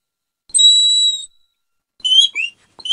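A Eurasian bullfinch gives a soft, pure, level piping whistle lasting under a second, then shorter fluty notes that dip and rise, with nothing else heard.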